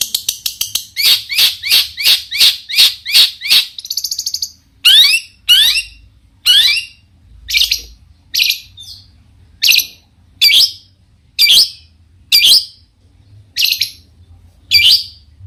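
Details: Long-tailed shrike in lively song, used to provoke other shrikes into answering: a fast series of about ten sharp high chips, a brief buzzy trill, then slower harsh down-slurred notes roughly every second, with a faint low hum beneath.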